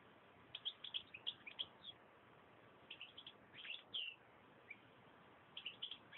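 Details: European goldfinch singing: bursts of bright chirping, twittering notes in short clusters separated by pauses of about a second, on a dull, muffled recording with steady background hiss.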